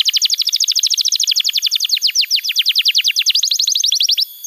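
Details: Canary song for training young canaries to sing, a continuous rapid series of falling whistled sweeps, about ten per second, fading at the end.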